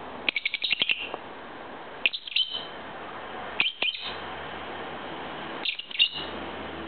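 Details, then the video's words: Two-year-old pet lovebird singing to its owner, giving bursts of sharp high chirps and rapid twitters in four separated clusters, with quiet pauses and a low background hum between them. "MY LOVEBIRD SINGING"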